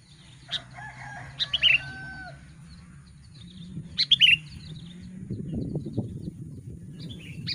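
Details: Sooty-headed bulbul (kutilang) giving a lure song meant to provoke wild bulbuls, in Lubuklinggau: two bursts of bright, liquid slurred whistles about three seconds apart, with a steady low hum and rustling noise.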